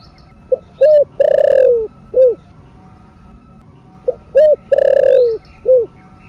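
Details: Spotted dove (cu gáy) calling in thổ sấm / thổ rền voice to excite caged doves. Two evenly repeated phrases of short hoots, a drawn-out rough falling coo and a final clipped note, with a quiet steady background.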